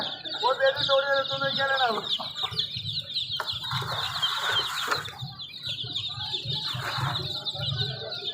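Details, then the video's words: Chicks keep up a steady flurry of thin, high cheeps. Brief Hindi speech opens the recording, followed by a few knocks and a rustle. "Free Sound effects Chicks"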